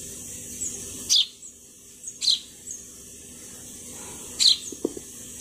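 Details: Sparrow chirps: three crisp, high-pitched notes spaced unevenly over several seconds, each falling swiftly, with a few faint softer chirps between them and a brief low tapping near the end.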